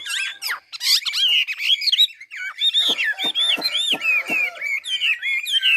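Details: A Chinese hwamei from Ha Giang delivers fast, varied whistled song, with looping, warbling notes and several sharp clicks punctuating the phrases.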